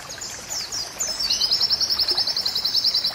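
A white-eye sings a few thin, high, downslurred chirps, then a fast, ringing trill of about three notes a second, over a soft trickle of water.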